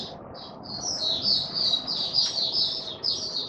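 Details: Male white-eye opening song: a few soft separate chirps building into a fast, continuous high warble of thin, tumbling notes.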